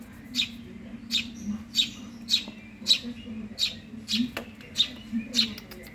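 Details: Begging calls of a hungry young Eurasian tree sparrow, a run of bright, high chirps spaced about half a second to a second apart against a constant low hum.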